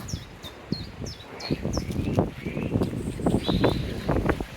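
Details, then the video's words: A European robin sings thin, high, trickling phrases of short descending whistles beside the River Tees near High Force Waterfall, Upper Teesdale, North Pennines, over a steady low rumble of rushing water, with rustling nearby. "If you listen, you can hear a robin singing."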